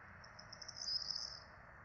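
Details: At a Rome nest camera on 12 April 2024, four Peregrine falcon nestlings are being fed; a sharp, high-pitched squeal rises and wavers, its short pulsing notes merging into one thin whine above low hum.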